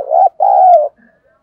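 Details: A spotted dove's lure call, 'thúc' style, for drawing wild doves close: a brief low coo followed at once by a longer, steady, throaty note that tails off, then quiet.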